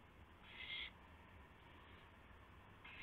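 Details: Owl during a gopher delivery at night, 12:25 AM, April 7, 2016. One loud, rasping hiss of under half a second, then quiet low hum, then the start of another harsh burst at the very end.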